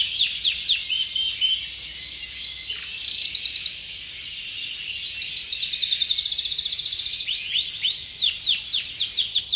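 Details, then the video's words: Canary singing nonstop in fast rolling trills, with bright downward-sweeping notes repeated several times a second, some buzzier passages, and a constant high-pitched hiss in the background. "Kenari Rasmi Durasi 1 Menir"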